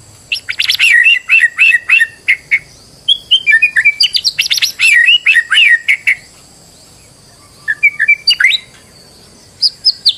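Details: White-rumped shama song from a stressed bird, used as a lure to make another bird sing: bursts of twisting warbled whistles with harsh accents, separated by long quiet gaps.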